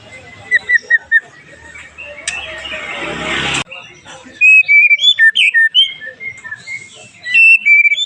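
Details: White-rumped shama, murai batu, in the pastol style, used as a lure to provoke other shamas: a harsh noisy burst mid-way, then clear, sharp whistled notes and short slurred phrases in quick irregular runs.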